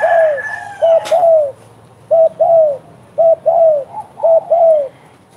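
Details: Spotted dove in vigorous calling, delivering low coo pairs about every second, each a clipped note then a long falling hoot. There is a sharp click early on and a faint higher tone at the start.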